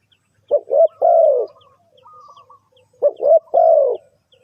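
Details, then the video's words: Two coo phrases from a spotted dove, each a pair of brief notes and a longer descending coo, used to lure birds into a trap. Faint distant chirps are scattered through. "Suara Tekukur"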